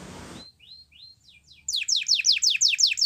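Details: Canary training song for young birds: a brief noisy burst, then soft rising whistled notes, building into loud, rapid, repeated down-slurred chirps about six per second.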